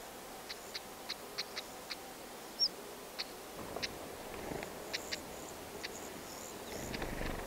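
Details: Wild stonechat pair feeding chicks in dense grass; a string of crisp clicking ticks at uneven intervals, one brief higher chirp, and low rumbling background noise toward the end.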